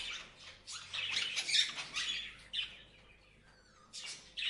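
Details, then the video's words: Parrots chirping: a rapid flurry of raspy chirps, then a quieter spell with a thin whistled note before a final burst of scratchy calls. "Parrots Chirping Sound"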